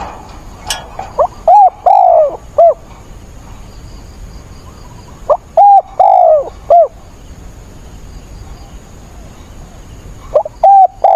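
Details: Decoy spotted dove cooing in stormy rain on 28 October: three loud, rough phrases about four seconds apart, each a quick soft note followed by short-long-short coos, with quiet hiss in between.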